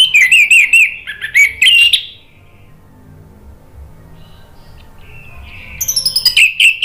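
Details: Orange-headed thrush lure song, meant to prompt a stalled bird to answer loudly: a burst of fast warbled whistles, a quiet pause of about three seconds, then another bright tumbling run of notes.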